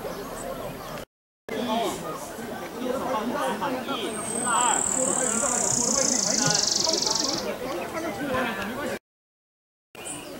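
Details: Buff-barred warbler at Long Lake, Jiuzhaigou, 3100 m elevation, 25 June 2014: a loud, very high, rapid trill lasting about three seconds and sliding slightly downward, with people talking throughout.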